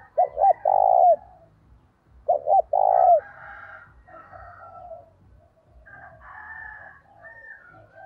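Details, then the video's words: Spotted dove used as a decoy, calling energetically to provoke wild doves, with urging notes: two phrases of low cooing, quick short coos rising into a long, strong coo, about two seconds apart, then faint mixed chirps from other birds. "Chim cu gáy gọi hay kích bổi và tập mồi kèm giọng thúc rất sung"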